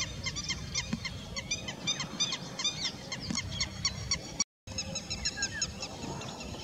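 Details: A steady chorus of short, nasal, honking quacks from several Indian spot-billed ducks in Sikar, Rajasthan, India, overlapping rapidly throughout, over a low background rumble with a brief cut partway.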